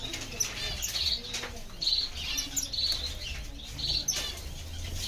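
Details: Diamond firetail repeating a high, nasal, slightly rising call roughly once a second, with soft wing flutters and faint low rumbling underneath.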